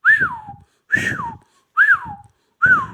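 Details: Talking ring-necked parakeet gives four loud whistled phrases, each arching up then gliding downward, spaced under a second apart, with a rough voiced buzz beneath each one, in a quiet room.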